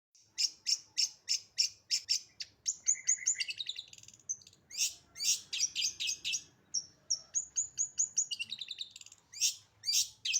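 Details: Long-tailed shrike singing actively in a full 'isian' style, fast and tight: bursts of sharp high chips alternate with quick buzzy trills and whistled phrases, delivered in rapid runs with brief pauses.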